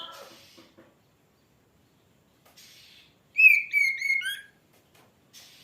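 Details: A short, loud, whistled warble from an oriental magpie-robin lasting about a second, with notes dropping in pitch. Faint scratchy background noises come before and after.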